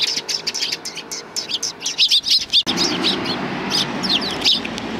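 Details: On a shrine approach in Japan, 24 April 2020, sparrows seeking food chirp in quick high bursts; a louder wash of background noise rises partway through.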